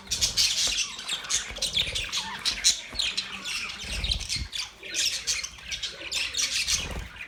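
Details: Continuous budgie chatter: a dense, squawky stream of high chirps and scratchy notes from these Australian parrots, rising and falling in loudness without pause.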